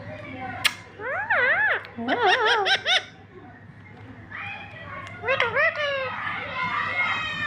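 A parrot gives bursts of wavering, human-like laughter, rapid 'ha-ha' pulses rising and falling, in two runs, with a sharp click near the start.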